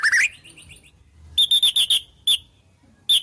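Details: White-rumped shama song with imitated wild-bird calls: a quick warbled rising phrase with soft trailing notes, silence, then five sharp high metallic notes in quick succession, followed by two spaced single notes.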